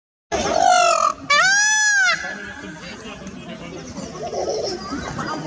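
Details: Indian peafowl giving two loud, nasal, wailing calls in quick succession, each with a rising-then-falling arch, followed by quieter background hiss and faint rustling.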